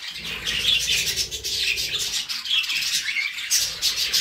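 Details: Budgerigars warbling together, a busy stream of squeaky chirps, short whistles and rasping notes overlapping continuously at high pitch.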